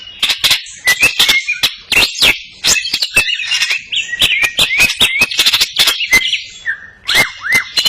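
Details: Greater green leafbird singing vigorously with crest raised, its song filled with cililin phrases: rapid sharp clicking notes mixed with short whistled slurs around mid-high pitch, some rising then falling, delivered in dense bursts.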